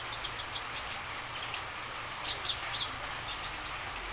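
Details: Common iora singing so that other birds respond: a lively string of high, sharp chirps and short whistles, irregularly spaced, with a brief slurred whistle in the middle and a steady hiss behind.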